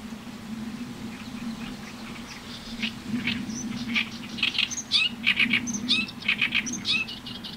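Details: Oriental reed warbler song, a hoarse grating voice stringing together varied repeated phrases: quiet notes at first, then loud rapid rasping bursts and sharp whistled inflections in the second half, with a low hum underneath.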